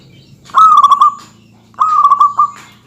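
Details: Local zebra dove in full voice, singing densely to provoke rivals: two coo phrases near one kilohertz, each opening with quick stuttering beats before a steady rolling trill, with a short quiet gap between.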